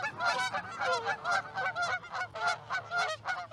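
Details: Flock of geese settling into a field in Charlo, Montana, 9:40 am, 1 February 2018; clear repeated two-part honks, roughly two per second, from several birds, over a soft low background hum.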